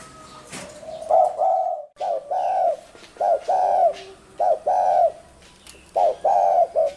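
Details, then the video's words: Spotted dove giving soft, hollow cooing phrases of clipped then drawn-out notes, about one phrase per second with irregular gaps; a sharp click near the start and faint high chirps of other birds behind. "Tiếng chim cu gáy có giọng gù hay nhất"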